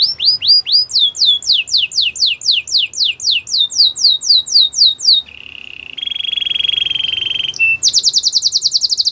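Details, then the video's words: Song of a Belgian canary: a run of downward-sweeping whistled notes repeated steadily, shifting to a low buzzy rattle, then a very fast high trill at the end. "Belgian canary singing"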